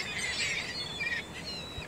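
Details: A flock of Ring-billed Gulls in a morning feeding frenzy at Bear River Migratory Bird Refuge on November 14, 2022 calls over one another in harsh, high squawks and mewing cries, with a soft outdoor hiss behind.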